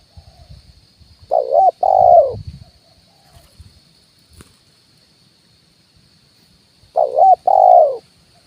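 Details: Spotted dove 'kuk 1' decoy call from a branch and the ground: two phrases of a wobbling coo then a longer held coo, spaced about five and a half seconds apart, with low rustling and one sharp click.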